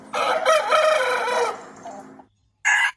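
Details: Chicken sound, likely a rooster crowing: a harsh, raspy, broadband crow of about two seconds that fades out. After a pause, a short loud burst begins.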